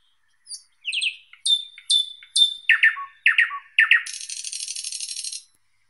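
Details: A Thrush Nightingale (Luscinia luscinia) sings loud, clear whistled notes and throaty phrases, about two a second, ending in a fast, dry rattling trill.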